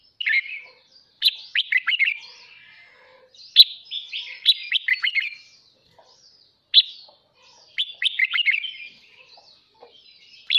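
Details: Used to train and excite newly caught birds, a red-whiskered bulbul gives its morning song: crisp opening chirps followed by warbling liquid notes, in about four phrases spaced by quiet gaps.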